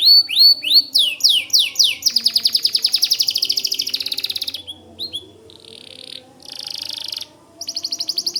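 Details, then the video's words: Lively white canary song for tutoring White-rumped Shamas: sweeping notes lead into a long, fast buzzy roll lasting about two seconds, then softer trills broken by short pauses. "Suara Kicau Kenari Putih Gacor Dor Cocok Buat Masteran Murai Batu"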